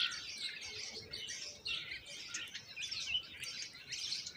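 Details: Common myna babies being fed moringa by their mother, begging with a steady stream of shrill, raspy chirps in repeated pulsing bursts, high-pitched and overlapping.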